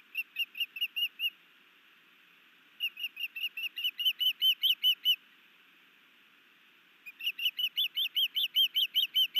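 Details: Afternoon of 11 May 2019 at a nest cam in Hellgate Canyon, Missoula, Montana: the new male osprey sky dances and delivers a fish to his mate, giving three bursts of sharp, piping whistles, the later notes slightly rising.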